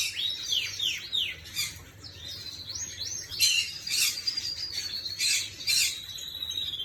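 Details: Singing canary, 11 May 2025: repeated downward-swooping whistles that give way to fast high trills and bright rolling notes, over a low background hum.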